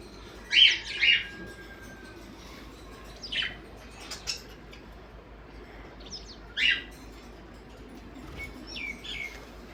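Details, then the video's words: Morning parrot calls, a quick pair of loud raspy squawks, then scattered softer chirps and another strong squawk, with gentle rising whistles near the end. "Parrots morning video"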